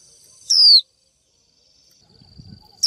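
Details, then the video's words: Female Japanese white-eye calling to a male: one sharp, high, downslurred 'chiu' note, then silence and another note starting at the end, over a faint steady high-pitched whine. "Chim vành khuyên mái chíu gọi trống cực hay, kích bổi hót ngay!"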